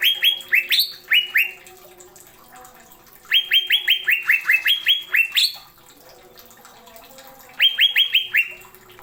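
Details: Cucak ijo, the greater green leafbird, with sharp 'isian tajam' fillers: three bursts of quick, rising whistled notes stacked in fast clusters, separated by pauses of a couple of seconds.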